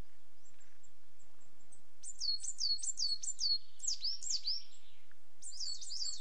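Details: ['A coal tit repeats high, bright double notes in a fast rhythmic phrase of about six, preceded by faint thin calls, then a short burst of similar notes after a pause.']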